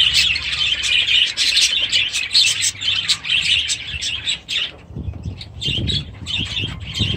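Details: Budgerigars in their aviary, chicks among them, chatter in quick high chirps and warbles; after a brief lull, soft flapping and rustling join the twittering.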